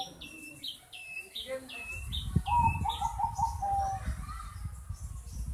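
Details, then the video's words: Long-tailed shrike giving a strange sound: a run of short, high, clipped notes repeated several times a second, then a steady mid-pitched tonal note held about a second, over heavy low rumbling background noise. "Cendet suara aneh"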